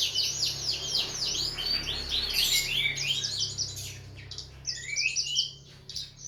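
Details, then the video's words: Cage-bird tutor song: fast looping whistled phrases, rapidly repeated and slurred, followed by a brief quieter gap and a few short chirpy bursts. "Berbagai suara burung masteran"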